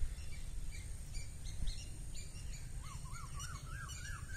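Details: Wild birds chirping outdoors in spring 2023 in Northern California on the US west coast: scattered short high chirps, then a quicker run of rising-falling notes, over a steady low rumble of background noise.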